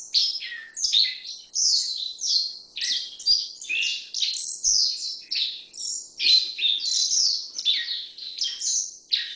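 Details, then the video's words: Black-faced bunting, also called grey-headed bunting: a clear run of high, varied chirps and short slurred phrases, some falling and some buzzy, delivered almost continuously with brief gaps over a quiet background. "黑臉鵐(灰頭黑臉鵐)/Black-faced Bunting"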